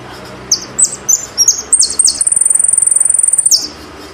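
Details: Song of a saffron finch from Argentina: a series of bright, high, staccato chirps gives way to a fast, metallic, evenly pulsed trill held for about a second and a half, closing with a drooping note.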